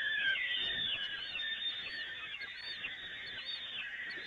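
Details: At the Evoluon peregrine nest during feeding from the grating, 13 May 2018, a continuous grating screech is overlaid by quick, high, rising-and-falling squeals repeated many times.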